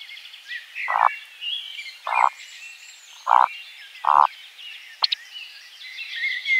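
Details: Eurasian woodcock in spring forest at nightfall, singing and displaying in flight: four low, croaking grunts about a second apart, then one sharp high squeak, over a soft chorus of other birds.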